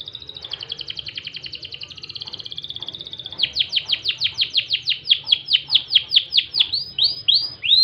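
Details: Crested canary (kenari jambul) singing in loper style with cengkok gurih phrasing: a fast, even high rattle for three seconds, then louder sweeping notes dropping in pitch, repeated about three times a second. Low steady hum underneath.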